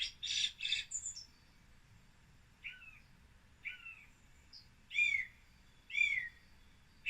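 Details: Song Thrush in Britain singing separate phrases, each repeated before moving to the next: a harsh double note, then a short slurred whistle given twice, then a higher bright whistled phrase given twice, with quiet gaps between.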